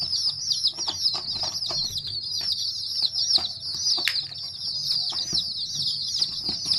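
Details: Young chicken chicks calling: constant high-pitched overlapping peeps form a steady chorus, with scattered tapping and knocking sounds beneath.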